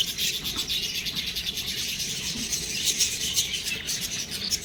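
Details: Shrill, rhythmic chirping from budgerigar chicks, roughly two pulses a second beneath a steady wash of high twittering.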